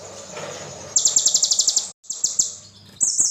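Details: High, thin sunbird song in the kolibri ninja style: after a second of low background hum, a fast pulsing trill bursts in, breaks off, and resumes in short high phrases.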